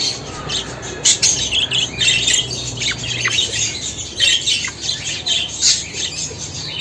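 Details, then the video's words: Several budgerigars chatter in a busy, continuous stream of high, scratchy warbles and sharp squawks, overlapping without pause. "Muhabbet Kuşu Sesi!"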